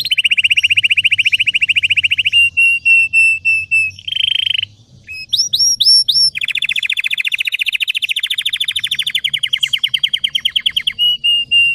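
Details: Red Belgian canary giving a deep, intense training song: fast dry trills, a brief buzzy note, sharp rising whistled upslurs, then another long rapid rattling trill and steady notes.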